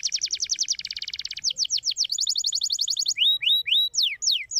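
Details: Canary song played to stimulate lazy canaries into singing: a fast, even trill of rapid notes, then slower downward-sweeping whistles, a second bright trill, and finally rising and falling slurred whistles.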